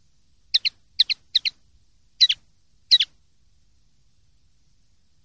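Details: Common linnet clean song (pardillo limpio), 2023/2024: five quick double-noted high chirps, the first three tightly bunched, the rest spaced out irregularly, with a clean quiet background.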